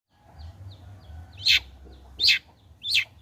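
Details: Long-tailed shrike singing actively after its moult, used as a lure to prompt other shrikes to sing: three loud, harsh, high-pitched notes about 0.7 seconds apart, with soft short chirps between and a low hum beneath.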